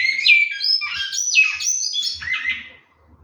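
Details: Large-billed seed finch at a bird-breeding setup, singing a continuous run of clear, slurred whistled notes that rise and fall, bright and fluting, fading out after about three seconds.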